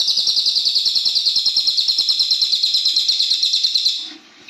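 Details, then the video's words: Brown cililin giving a loud call: a fast, steady series of high, sharp chirps, roughly three per second, held for about four seconds and then stopping abruptly, with a faint low rumble behind. "suara keras burung cililin coklat"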